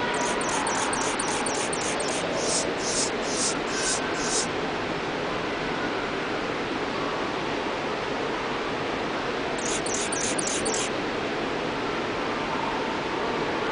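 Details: An adult male Anna's hummingbird in a zoo's Desert Dome in Omaha, Nebraska, on 3 March 2007 gives thin, scratchy, very high buzzes in a quick repeated series, then a shorter burst, over a steady rushing noise.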